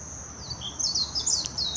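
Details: Warbling white-eye song recorded 26 June 2021 in Hashimoto, Wakayama Prefecture, Japan, using a Nikon Coolpix P900: a few falling whistles, then a rush of bright, twittering high notes against a steady shrill background hum.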